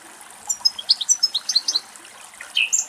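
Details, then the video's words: Male European goldfinch feeding greedily on a dried thistle in Greek nature; lively twittering phrase of about a dozen high, slurred notes in quick succession, followed by a brief buzzy, rising flourish. "Καρδερίνα Κελάηδημα - European goldfinch song"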